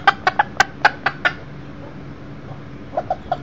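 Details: Millefleur d'Uccle rooster aged one year, inside a house with hens and chicks; seven sharp clucks in about a second, a short gap, then three softer, lower clucks.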